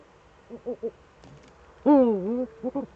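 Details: Eurasian eagle-owls, both birds together in the nest hollow, caught on a nest webcam on 6 March 2013: three soft clipped double notes, a loud drawn-out wavering wail, then two more short stuttering notes.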